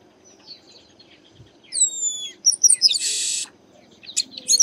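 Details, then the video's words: Garibaldi, or chestnut-capped blackbird, also known as Baia de Chiqueiro, giving its song: two clear descending whistles, a burst of quick high chips, then a long grating buzz, with scattered twitters after it. "Garibaldi Cantando"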